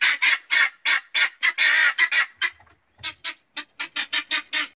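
Guineafowl give harsh, rapid, repeated cackling calls, a raucous chorus of grating notes.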